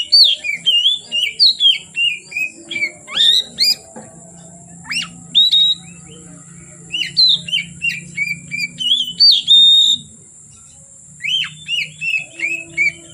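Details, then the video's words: Kacer, the oriental magpie-robin, singing from afternoon until dark: long, rapid runs of varied whistles, chirps and slurred notes, pausing briefly twice, over a faint steady hum. "Kacer Gacor Sore Sampai Gelap Malam tetap Bunyi Gacor"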